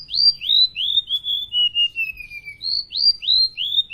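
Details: Indonesian golden-bellied gerygone in full lively filler song, a rapid run of clear whistled notes, each slurring down, that descend step by step, then restart higher with quick repeated falling whistles about three per second.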